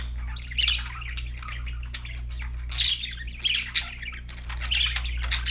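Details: Budgies, kept as pets, singing happily: a dense, busy warble of scratchy chirps and harsh squawks in overlapping bursts, louder flurries around the second and third seconds, over a steady low electrical hum.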